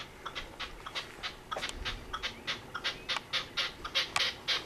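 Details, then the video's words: Red-legged partridge calling from a rooftop one evening, recorded on a zoom camcorder: a rapid series of short, harsh, chuffing notes repeated about four times per second, growing louder and more insistent toward the end. "Red-legged partridge calling"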